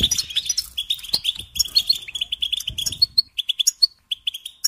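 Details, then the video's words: European goldfinch song used as a singing lesson to train songbirds: rapid twittering of short high notes, fast trills and sharp chirps, briefly pausing near the end before resuming with spaced single notes. "Teaching Singing Lessons Through Goldfinch Motives"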